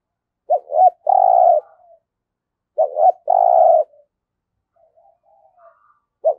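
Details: Spotted dove kept as a lure for catching wild doves, cooing twice about two seconds apart: a pair of short rising notes, then a long, steady, trembling low coo. Soft faint notes follow in the gap.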